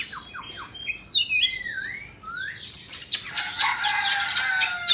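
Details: Indonesian white-rumped shama song given during its fanned-tail dance: quick slurred whistles and downward sweeps, then a dense burst of harsh, scratchy notes in the second half.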